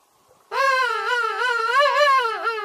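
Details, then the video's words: A king penguin gives one sustained, wavering, nasal trumpeting call lasting about two seconds, with a steady warble and a brief dip near the end. "sound of king penguin"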